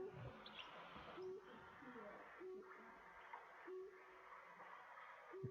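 Brush Bronzewing giving short, low hooting notes, one roughly every 1.2 seconds, sharper and higher than a Common Bronzewing's; other birds call faintly behind.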